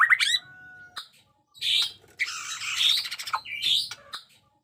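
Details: A fighter-type white-rumped shama sings loud, varied phrases with "cough" and "glass-vomit" song styles: sharp rising whistles, a held pure note, then harsh rattling, buzzy bursts; a non-singing shama joins in answering.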